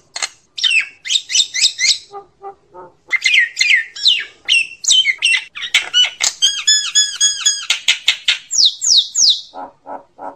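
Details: A common myna calls to gather the flock in a loud, varied run of chattering notes: rasping squawks, fast repeated clicks and bright whistled phrases. A high trill near the end gives way to a few lower clucking notes.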